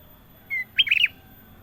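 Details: Ruby-throated bulbul (kutilang emas) singing clearly: one steady drawn-out whistle, then a quick burst of four or five bubbling, up-and-down warbled notes.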